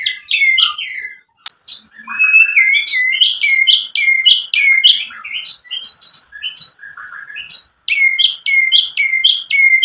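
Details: Varied white-rumped shama song used to goad other shamas into singing: bright, repeated whistled notes in fast series, sliding whistles and high chips, a faint steady hum beneath, one short pause in the middle.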